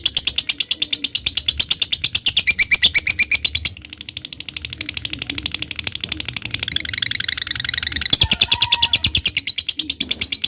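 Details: Lovebird ngekek, a long rapid chattering trill used as a lure to get other lovebirds singing, running almost without a break and shifting slightly in pitch.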